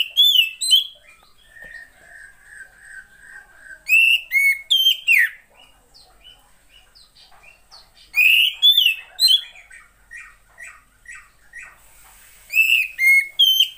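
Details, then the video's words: Female Oriental magpie-robin, used to provoke reluctant males into singing: loud bursts of clear whistled and slurred notes, some falling and some rising, separated by quieter chattering and soft high notes, with a long steady whistle early on. "SUARA KACER,POCI BETINA,terapi untuk memancing burung jantan yang males bunyi"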